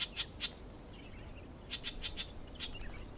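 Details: Clamorous reed warbler calling at Stewartgunj in the Andamans: short, bright chirping notes in two loose bursts, three quick ones then four evenly spaced, with a softer twittering between and a final note, over faint background hiss.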